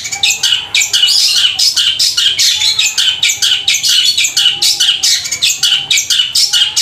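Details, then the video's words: A long-tailed shrike pours out loud, harsh chattering bursts, several each second, mimicking quarrelling sparrows in a long unbroken run, with a faint steady tone beneath. "Cendet suara gereja tarung sambung kunti gacor panjang keras"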